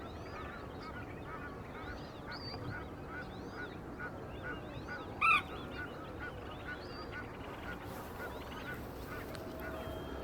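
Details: Small flock of flamingos at the Malandeni Water Treatment plant in Ladysmith, recorded with a Fujifilm XT-4 camera: many overlapping nasal, goose-like honks with arching pitch, and one loud sharp call midway, over steady background hiss.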